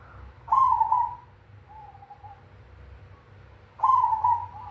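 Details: Black cemani zebra dove with a big 'kung' voice: a mellow mid-pitched cooing note held about a second, a softer lower tone after a pause, then the strong coo again, over steady low rumble.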